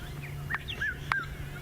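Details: A distant Red-chested Cuckoo, heard far off but unseen on a sunset game drive in Africa, gives three faint whistled notes, each slightly lower than the last, over a steady low engine hum.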